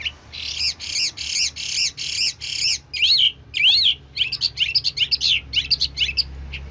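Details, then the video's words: Singing Hwamei, admired for varied song: a series of buzzy repeated notes, then quicker rising slurred whistles and chips, over a noticeable steady hum. "Chú mi cực hay, đảo giọng hót tốt hót rất đẳng cấp"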